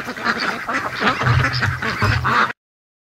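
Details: Domestic ducks just arrived home from the lake; a flock gives repeated harsh, nasal quacks in quick overlapping bursts over a low steady hum, ending abruptly after about two and a half seconds.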